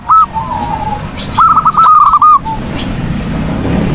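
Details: Zebra dove in full song for training other birds: one sharp opening note, a pause, then a quick stuttering run of curled, cooing notes ending in a soft trailing coo, followed by quiet background hiss.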